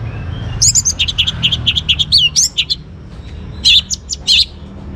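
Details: Singing young orange-headed thrush from Singaraja, Bali, meant to spur other birds into song: a rapid chattering run of high chirps for two seconds, a pause, then a few loud sharp bursts.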